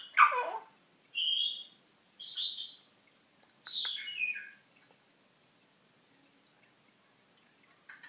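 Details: A pet African grey parrot chattering at home, a newcomer that talks and sings: a sharp squawk, then three short warbling whistle phrases, each under a second, falling in pitch, followed by quiet.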